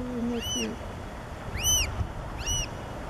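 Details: Black oystercatchers with chicks on the beach at Pacific Grove's Hopkins Beach among harbor seals: three loud, clear arched whistles spaced about a second apart, after a brief low tonal sound, with soft wind behind.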